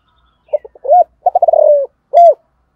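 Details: A single 'giọng thổ' phrase of a Spotted dove's morning decoy call: low broken hoots, a trill of quick notes easing into a long falling coo, and a final crisp coo.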